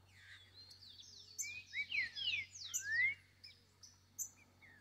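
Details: A free wild Green-winged Saltator singing in the forest: a burst of rich, sliding whistles, rising and falling, packed into about two seconds, with a low steady hum underneath.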